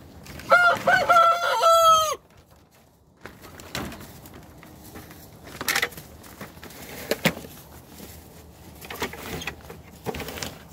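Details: Rooster crowing in the morning while another bird looks for breakfast. A single loud, harmonic crow lasting about a second and a half opens the recording, followed by quiet scratching, clicks and rustling.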